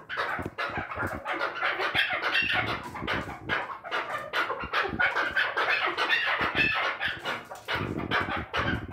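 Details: Farmed chukar partridges giving a dense, rapid run of harsh clucking chuck notes that overlap and run on without pause, with some scraping and rustling underneath.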